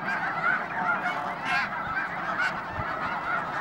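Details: Snow geese at the Hayton Snow Goose Reserve, Skagit Wildlife Area near Conway, Washington: a dense flock chorus of overlapping nasal honks and yelps, steady and continuous with no pauses.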